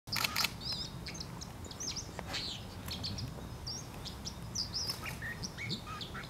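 A dipper gives a scatter of sharp, high, chirping notes in quick irregular bursts, over a steady low rumble and a few clicks at the start.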